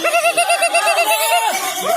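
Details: Greater green leafbird singing at a bird-singing contest: a rapid run of arched whistled notes, about eight per second, then a long slurred note, set against a dense wash of other birds singing.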